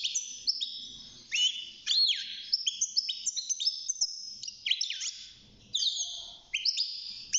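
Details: Young European goldfinch singing inside its cage at six months old: dense, fast twittering with high sweeping notes, some bent down and back up, mixed with buzzy chatter and brief pauses.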